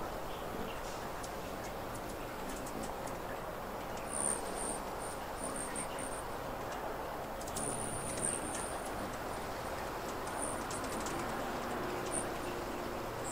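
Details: A Rufous hummingbird at a feeder in California gives very high, thin chip notes in quick bursts of four to six, with pauses between, over a steady low rumble of background noise.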